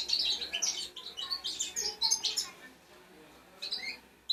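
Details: Young European goldfinch singing, a recording meant to encourage silent goldfinches to sing: rapid high twittering and chirps in quick succession, fading then a final short burst.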